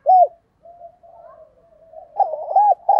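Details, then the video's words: Decoy spotted dove (Vietnamese 'cu gáy', voice style 'thổ sấm') cooing to provoke wild doves to coo quickly: a loud arched coo note, a stretch of soft low murmured cooing, then a burst of rapid arched coo notes. "Chim Cu Mồi, cu gay kich boi nhanh noi gù"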